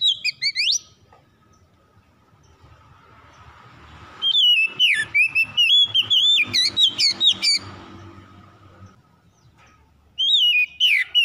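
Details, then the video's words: Oriental magpie-robin, recorded as a lure to make a quiet bird sing, delivers bursts of rich whistled song with fast chattering notes and rising slurs, separated by a few seconds of soft background hiss. "KACER MALAS BUNYI CEPAT GACOR"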